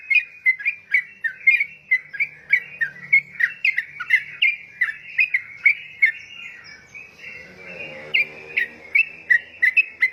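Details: Yellow-vented bulbul, known locally as trucukan, singing very actively: a fast stream of short, bubbly whistled notes repeated about twice a second, with faint low background noise midway.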